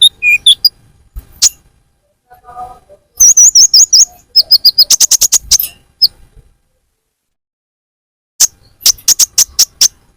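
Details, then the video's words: Sunbird lure call for attracting birds: scattered high chirps, a rapid series of thin wavering notes, silence, then another quick run of sharp high chirps. "suara pikat burung Kolibri ninja"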